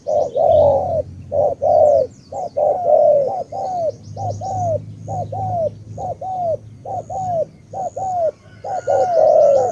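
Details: Tú spotted dove from Cà Mau, Vietnam, cooing almost continuously. Many rapid phrases of short notes run into long descending coos, over a low background rumble and faint high chirping.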